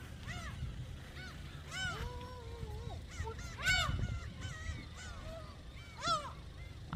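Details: Gulls flock to shrimp snacks handed out by a man at Hampyeong's Dolmeori Beach in Korea. Many overlapping arched, squealing mews and one longer drawn-out wail come in quick succession over a low rumbling background.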